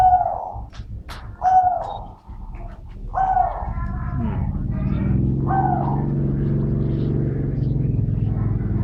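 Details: Dove described as medium-voiced, cooing four short, slightly falling notes at uneven gaps of one to two seconds, followed by a steady low rumble of background noise.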